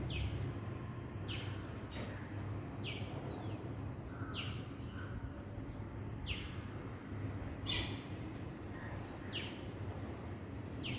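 Thin, high hummingbird chips slide sharply downward, repeated about every second and a half over a steady low rumble of background noise.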